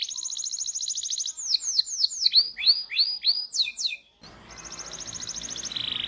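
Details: Singing canary, a training recording for young birds: a high steady trill, then rhythmic downward-sweeping chirps repeated several times a second, a brief pause, and another high rolling trill with faint background hiss.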